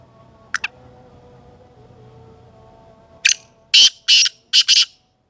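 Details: Black francolin in Sindh, Pakistan, calling: after a brief scratchy note, a series of four loud, harsh, grating bursts comes in quick succession against a quiet background.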